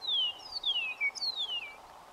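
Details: An Eastern Meadowlark sings on the Plains of San Agustin near the Very Large Array, west of Socorro, New Mexico, where pronghorn were present: a short phrase of four clear whistles, each gliding downward, over faint steady hiss.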